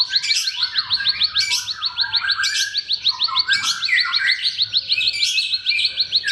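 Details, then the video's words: Ciblek, the bar-winged prinia, in a layered lure recording meant to stir mute or sluggish cage birds into song: fast repeated high ticks run throughout, mixed with warbled descending phrases and short buzzy bursts. "BERBAGAI ISIAN KICAUAN CIBLEK, PANCINGAN AMPUH UNTUK SEGALA JENIS BURUNG BISU, MACET ,LELET"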